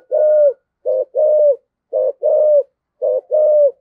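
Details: Spotted dove calling in the thổ sấm voice style, used as a decoy call to rouse rivals: low, hollow coos in short-then-long pairs, each pair repeating roughly every second, clean and close.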